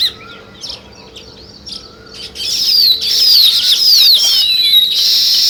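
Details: Sparrow chirping outdoors in natural surroundings: quiet for the first two seconds, then a loud, dense burst of high, rapid, overlapping chirps and twitters that continues to the end, like several birds calling at once.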